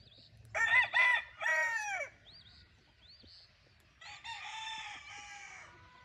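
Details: Wingate Brown Red stag and hen kept in a brood pen. A loud, strained crow comes in several rough harmonic bursts, then falls away. Wild birds whistle briefly, and a second, quieter, drawn-out crow follows at the end.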